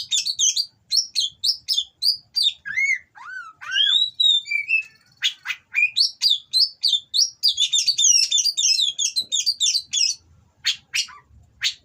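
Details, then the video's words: Mating song of an Oriental magpie-robin from a breeder, meant to provoke rivals: fast strings of bright whistles and chips, a few lower slurred notes mid-phrase, dense twittering bursts, then spaced sharp notes near the end. "Burung Kacer Kawin Bongkar Materi Kasar Bikin Lawan Langsung Emosi"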